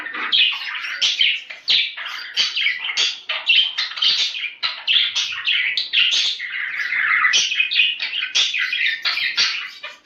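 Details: Captive budgerigars chattering as a breeding stimulus: a continuous fast warble of scratchy chirps and squeaks, densely packed with hardly a gap, steady and lively.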